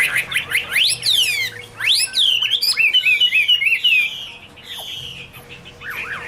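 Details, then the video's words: Song of the Chinese hwamei, Garrulax canorus: steep whistled sweeps climbing high, followed by quick repeated warbling notes, then quieter phrases fading toward the end. "Birds Garrulax canorus: Singer yellow mouth - wonderful birdsong"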